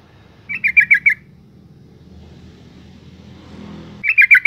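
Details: Female yellow-vented bulbul calling to stimulate males: two bursts of five rapid bubbly chattering notes about three seconds apart, with a faint passing engine-like rumble between them.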